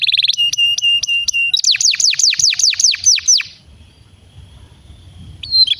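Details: Canary song used as a prompt to get other canaries singing: a fast buzzy trill, then evenly repeated high notes, then a run of loud downward-sweeping whistles about four per second, ending in quiet.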